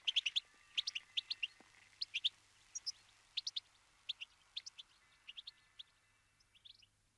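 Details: Fieldfare calling with spaced short harsh chack notes in small groups, fairly soft, with faint thin tones in the background.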